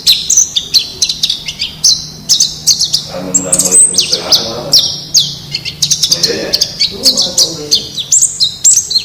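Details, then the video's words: Wild white-eye whose voice is used to train captive birds sings a lively twittering phrase of high chirps and short buzzy trills, jumping between pitches, over a soft low background murmur. "Suara Masteran Pleci Ngalas Agar Cepat Buka Paruh"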